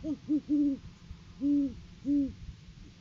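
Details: In courting season, a male great horned owl brings a food gift to the female on a live cam. Two short hoots, then a series of long, deep, rounded hoots come loud and clear against a quiet background.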